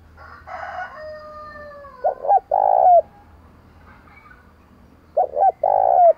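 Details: Spotted dove cooing for decoy bird training: faint whistled tones at first, then two partial low phrases about three seconds apart, each with quick short coos and a long grainy, rolling coo.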